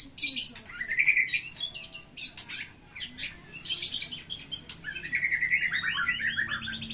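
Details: White-rumped shama in fighting mood singing a rich varied song: high sharp notes and chattering bursts, then a fast descending series of trilled whistles near the end.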